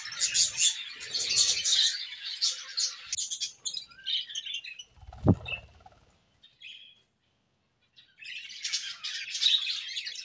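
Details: In a morning aviary, a budgerigar pair bursts into high, fast chirping chatter, falls to scattered short notes with a low thud in the middle, goes silent briefly, then resumes twittering.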